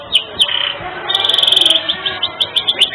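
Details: Singing canary with unique cengkok variations, intended as a masteran tutor for birds: a few clipped notes and a buzzy phrase, then a quick rattling trill, then spaced, bright rising chirps.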